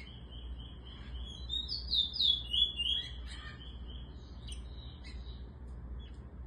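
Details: Eurasian bullfinch singing while teaching a young bird. Evenly spaced soft piping whistles run steadily, broken in the middle by a louder cluster of rising and falling whistled notes, then a few scattered chirps.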